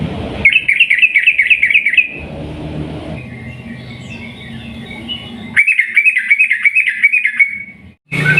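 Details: Long rapid-trill song of a sooty-headed bulbul, played to stir other bulbuls into singing: two sustained runs of fast, bubbling repeated notes, one early and one late, with a quiet noisy stretch between them.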